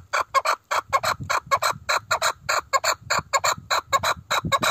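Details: Arabian partridge (Alectoris melanocephala), a gamebird of the pheasant family native to the southern Arabian peninsula: a steady run of loud, harsh, clipped chuck notes, about three to four each second, evenly paced throughout.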